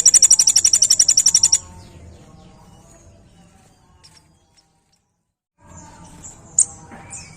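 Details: Sunbird kept as a master bird for tutoring songbirds, giving a fast high-pitched trill of rapidly repeated sharp notes for about one and a half seconds, then near silence with a faint chirp later.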